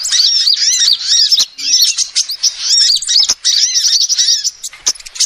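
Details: Lure recording of a female sunbird: bursts of shrill, rapidly repeated curved chirps, each burst about a second long with short gaps, with occasional sharp clicks.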